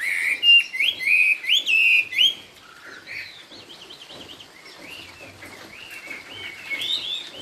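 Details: Chinese hwamei singing "cao cầu" style, a straight song: loud rising whistled notes repeated about once every half second for two seconds, then softer, rapid warbled phrases and scattered notes continuing afterward.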